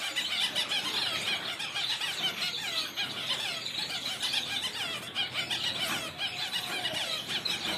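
Masked grassfinch singing: a steady stream of high, thin twittering and squeaky notes, densely overlapping as if several finches chatter together.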